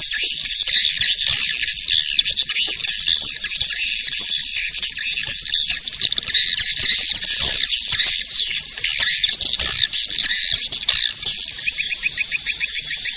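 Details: Edible-nest swiftlet calling sound meant to attract swiftlets, long steady chorus of shrill chattering chirps, with rapid ticking trills near the end.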